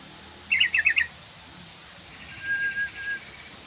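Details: Yellow-vented bulbul lure call, played to make a bulbul sing: one quick bubbly burst of five bright notes, then a fainter, drawn-out rattling phrase with a thin steady tone beneath it.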